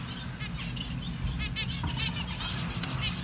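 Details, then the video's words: Baby finch chick being hand-fed, giving rapid repeated thin chirping begging notes that rise and fall, close up, over steady low rumbling handling noise. "Hand feeding... 🐥 Baby finch"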